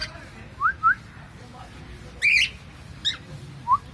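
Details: A pet cockatiel giving a few short, scattered calls: brief rising whistles, a louder harsh rasping squawk near the middle, then a thin high note and one more short rising whistle, with quiet room hum underneath.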